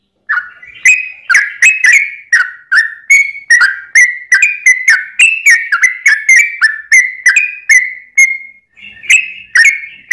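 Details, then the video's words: Yellow-vented bulbul pouring out an extended song to draw responses from other bulbuls, a steady string of bright, liquid whistled notes with rising and falling slurs, barely pausing across ten seconds. "trucukan gacor ROPEL PANJANG buat pancingan trucukan agar bunyi"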